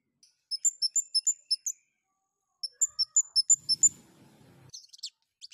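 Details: High, clipped chirps from a long-tailed shrike in breeding condition, delivered in two quick runs of about six to seven notes, followed by a soft low rumble.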